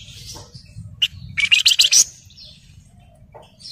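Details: Javan fulvetta (wergan Jawa) lure recording meant to prompt silent birds to sing. A dense, rattling, buzzy burst of rapid notes rises out of a steady low background hum. A few faint short chirps come before and after it.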